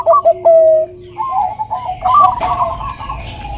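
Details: Bangkok-type zebra dove, a cage bird, singing as a lure for other doves. A few short coos lead into one long level note, then fainter, wavering coos follow.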